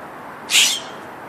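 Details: Morning call of a scrub jay, one loud, harsh, rasping note lasting about a third of a second, standing out sharply against faint background hiss.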